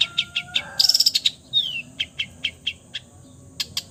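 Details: A long-tailed shrike copying other birds' voices: a quick trill of high notes, one falling whistled slur, then a steady series of short chirps roughly every fifth of a second.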